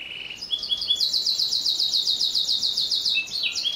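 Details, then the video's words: Canary song in long rolls and sharp tone: a low buzzy trill opens, then a fast, even series of high ringing notes repeated rapidly, ending in lower clipped phrases. "SUARA KENARI GACOR ROLLLL PANJANG Cocok buat Masteran Burung... SUARA TAJAM"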